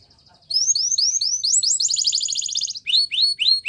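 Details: Belgian canary singing for training young canaries: rising whistled notes lead into a dense high rolling trill, then repeated bright upswept chirps.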